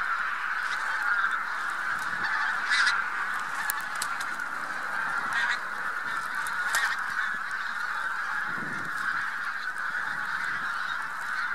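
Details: Spring passage of a huge Bean Goose flock mixed with White-fronted Geese near Trzemeszno, Poland, 3–4 March 2018: a continuous loud honking chorus, punctuated by several short sharp clicks and a brief low rumble.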